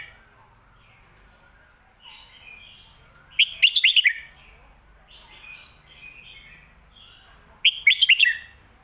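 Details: Red-whiskered bulbul singing a popular phrase style called the 'phat kuaitiao' or 'mae bot' song: two loud bursts of quick, warbled, bubbly notes about four seconds apart, with softer chattering notes between them.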